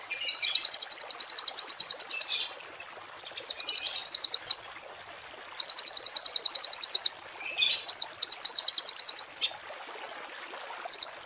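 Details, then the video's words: Songbird giving harsh, rapid, high-pitched "tembakan kasar" trills in bursts of one to two seconds, separated by short pauses, over a faint steady hiss, used as a tutor recording for cage birds. "MASTERAN BURUNG TEMBAKAN KASAR || Suara Masteran kasar"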